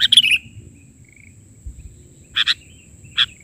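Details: Sooty-headed bulbul (kutilang) singing vigorously, an isian filler song in the bahari version style. A cluster of sharp, high chirps opens, followed after a pause by two brief double notes and a single chirp. A faint low rumble sits underneath.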